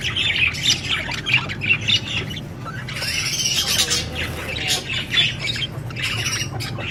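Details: Budgie parrot chirping as a run of quick twittering squeaks and rasping squawks, with a few clearer whistled notes mixed into the chatter, set against a soft low background hum.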